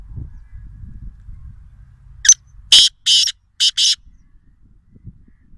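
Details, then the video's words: Black francolin from Sindh, adult and chick calls named: one sharp note followed by four loud, harsh, grating bursts in a rapid uneven sequence, then quiet with faint low background rumble. "Black_Francolin_sound_vs_beautiful_black_Francolin_baby_sound |کالے تیتر اور تیتر کے بچے کی اواز"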